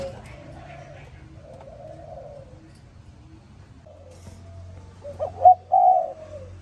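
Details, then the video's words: Spotted dove in the morning: faint, hollow coos at first, then one close, loud phrase of two short notes followed by a drawn-out croo. "Sound Spotted Dove ln The Morning"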